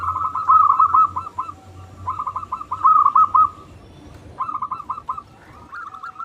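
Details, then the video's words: Local zebra dove song used to stir quiet doves to sing: repeated short phrases of quick trilled coos, each ending in spaced staccato notes, over a faint low hum. "Perkutut Lokal Gacor Suara Paling Ampuh Untuk Pancingan Burung Perkutut Agar Bunyi"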